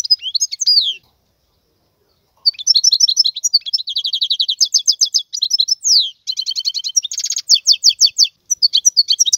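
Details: Wild European goldfinch singing: bursts of fast, bright twittering and liquid trills, rapid repeated notes with buzzy and tinkling phrases, a short pause after the first second, then near-continuous chattering song.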